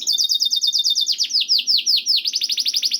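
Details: Canary singing, used as a lure to make caged canaries sing: a fast trill of clipped notes over a thin sustained whistle, shifting to slower, louder downward-swooping whistles repeated about four times a second.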